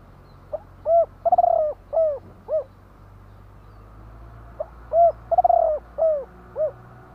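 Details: Spotted dove cooing in two matching phrases: a soft lead-in note, a low coo, a rolling tremulous coo, then two or three falling coos, with a pause of about two seconds between phrases over a quiet hum.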